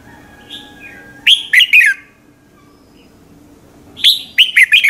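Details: Red-whiskered bulbul giving its morning song, a competitive song used as a lure to stir other bulbuls into singing. Two loud bright phrases of about four quick whistled notes, two and a half seconds apart, over a faint steady hum.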